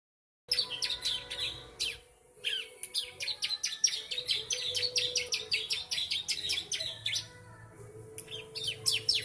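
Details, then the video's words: Three-month-old bar-winged prinia (ciblek) singing in the mriwik nembak style: a dense, rapid run of sharp high chirps and sweeping whistled notes, briefly pausing near two seconds, then continuing as a fast repeated chatter. "ciblek umur 3 bulan mriwik nembak"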